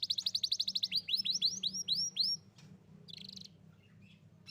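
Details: Singing young Atlantic canary, used to stimulate a young canary that stopped singing: a rapid rattling trill, then a series of rising whistled slurs about three per second, followed by a softer buzzy burst; low hum behind.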